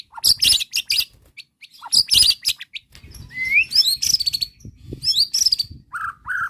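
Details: Bait-style song of a white-rumped shama intended to make a listening bird answer: loud harsh scratchy chatters in groups, interspersed with sweeping upslurred whistles and two lower whistled notes at the end.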